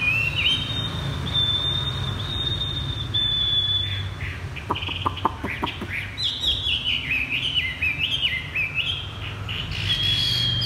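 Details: Captive Chinese hwamei with a steady high whistled tone held for several seconds, then a burst of 'thắt cổ chai' bottleneck-style song: rapid rising-and-falling whistles chained together, with some clicks mid-way.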